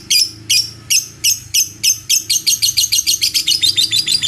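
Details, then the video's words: Lovebird ngekek panjang, a long chattering song: loud, sharp, high rattling notes that start spaced about every third of a second and then speed up into a fast, continuous stuttering trill. "Suara Burung Lovebird Ngekek Panjang"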